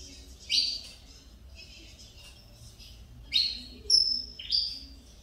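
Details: Canário-da-terra of the Mineirinho type, son of a Cobrap vice-champion male, singing again after nearly two years of stuck feathers: a few bright chirped notes sweeping down, in two spaced bursts over quiet background.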